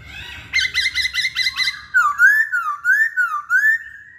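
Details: Singing Hwamei, kept as a cage bird: six quick repeated upward-flicked notes open the phrase, then a loud undulating whistle loops up and down several times.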